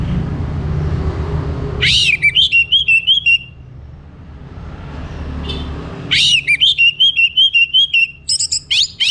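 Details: Orange-headed thrush from North Bali in morning song: two phrases, each opening with a sharp rising note then a run of rapid whistled syllables, the second longer and ending with high chips, over low rumble.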